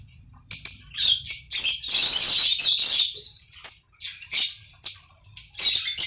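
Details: Conure giving harsh, buzzy squawks in rapid, irregular bursts, with one long rasping stretch near the middle and shorter screeches toward the end.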